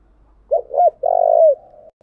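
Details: Single spotted dove phrase for training decoy birds: two quick rounded coos followed by a long, steady, gently falling coo that trails off softly.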